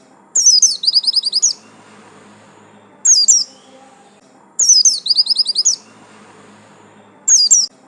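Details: White-eye of the buxtomi yellow-stripe type: high downslurred chirps leading into a rapid buzzy trill, the phrase repeated twice with single sharp chirps between.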